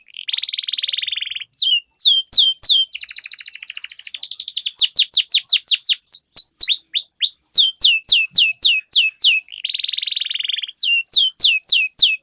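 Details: Long rolling canary song meant to prompt other canaries into singing: buzzy trill opening, fast runs of sharp descending whistles, another buzzy roll near the end, then more sweeping notes.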